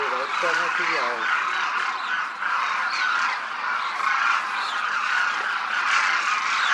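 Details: Large flock of demoiselle cranes flying in formation over a Rajasthan village sky, India; dense overlapping croaking, trumpeting calls from many birds form a continuous chorus throughout.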